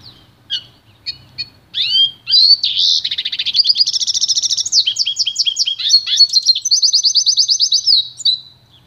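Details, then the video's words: Pintagol, a goldfinch and canary hybrid, singing pure song for training: a few sparse chirps, then a fast continuous warble of high twittering notes and rapid trilled bursts running several seconds. "canto puro do pintagol"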